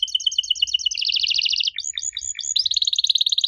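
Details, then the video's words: Canary song meant to get young canaries answering: an even doubled trill, then sharp downward chips, then a fast buzzy high trill. "Kenari Muda pasti nyaut kalo denger suara aneh kenari ini"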